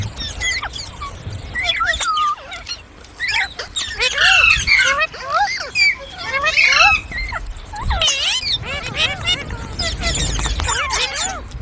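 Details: Ringneck parrot talking and singing with funny sounds: a run of warbled, swooping notes and sharp squawks in irregular bursts, some upslurred and some downslurred, with brief quiet gaps and a faint low rumble in the background.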